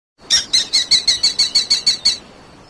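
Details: Falcon calling in flight across the sky: a rapid series of ten sharp, harsh, high notes, evenly repeated about six times a second for two seconds, then silence; no other sounds.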